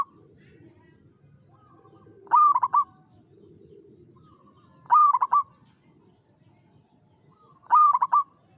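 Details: Zebra dove (local perkutut), a frequent singer, repeats a short cooing phrase of several rapid notes roughly every two and a half seconds, each phrase rising and closing with a brief rolling trill, with a quiet murmur underneath.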